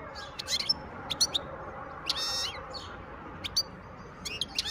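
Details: Wild European goldfinch recorded in 2023: bright, high twittering chirps and short buzzy bursts come in irregular clusters every half second or so, with a steady low background hiss.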